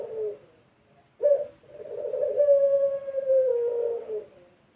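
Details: Barbary dove, melodious pelung song used to coax doves into cooing: a brief low murmur, a quick upswept note, then a prolonged level coo that slips lower over about three seconds.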